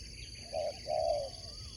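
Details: Two soft coos from a Spotted dove in a sport dove contest: a short note, then a longer drawn-out one, over a constant high-pitched hum.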